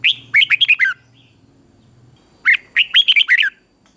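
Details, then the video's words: Red-whiskered bulbul training song, two bright, bubbly phrases of quick rising and falling whistled notes, each under a second, separated by a brief pause. "Luyện chào mào hót sáng"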